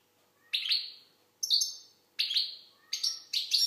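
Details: Algerian goldfinch giving high, tinkling twitters in separate bursts, roughly one a second. Each burst starts sharply, carries buzzy trilled notes and trails off in an echoing room.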